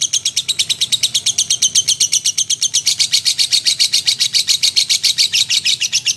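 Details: Actively singing lovebird for magpie-robin training: a relentless rapid series of high, harsh chirps at a steady pace throughout, over a quiet low rumble.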